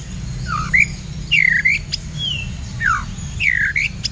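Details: Blacktail white-rumped shama kept in a cage, singing against a kapas tembak as a training duel: swooping whistles that fall and climb, a lone level whistle between, and sharp clicks, with a constant low hum.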